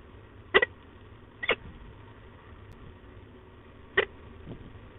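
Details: Female peregrine falcon grumbling at De Mortel on 15 October 2021: four short, harsh, clipped notes, two close together near the start and two more a few seconds later, over a low steady background hum.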